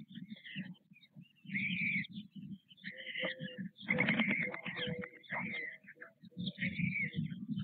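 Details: At Nové Mlýny on 6 May 2024, white stork chicks beg as their parents feed them at the nest. Low throbbing pulses alternate with strained, wheezy high cries, with a louder, denser burst in the middle.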